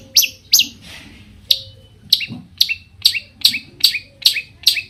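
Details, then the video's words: Long-tailed shrike song provoking rival shrikes to sing: loud, harsh downslurred notes repeated irregularly, roughly two per second, with brief pauses and faint low noise. "cendet gacor Variasi BIANGNYA bikin cendet lain emosi ikutan bunyi langsung NYAUT"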